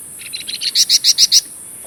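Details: Golden-bellied gerygone (flamboyan) in vigorous song, recorded for training caged songbirds. A few soft chips lead into five loud, ringing, bright notes in quick succession.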